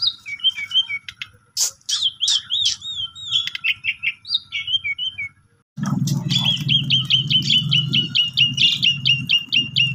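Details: Lure song of an Asian pied starling meant to make a silent starling sing: varied whistles and chatters, a brief pause, then quick regularly repeated notes over a low rumbling background.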